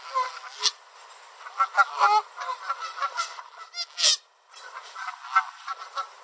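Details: A pair of Canada geese honking at each other while chasing back and forth along a Southern Ontario beach; loud, nasal honks in uneven clusters, with one sharp loud blast and a brief pause midway.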